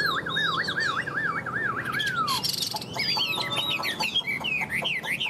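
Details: A big-bodied Chinese hwamei, currently moulting yet still singing strongly, gives a loud, fast run of wavering whistled notes, a long falling slide, then bright varied phrases climbing higher, over faint background noise.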